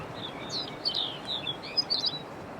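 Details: Lapland Longspur at the cemetery in Utqiagvik (Barrow), on Alaska's Arctic north coast, in June 2022, near nest sites, giving short, high chirping and twittering notes in loose bursts over steady background hiss.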